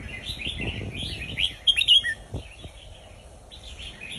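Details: Red-whiskered bulbul of the Indonesian type singing a southern Thai folk-style song, played to teach young birds: warbled, slurred phrases sliding up and down, with a louder bright burst midway over low rumbling background noise.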